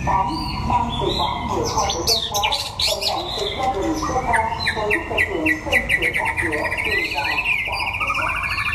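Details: Contest singing of a white-rumped shama from Đắk Lắk, Vietnam, while sunning: varied whistles and chirps give way to a fast, even rattling trill of repeated notes. Constant human chatter and hubbub underneath.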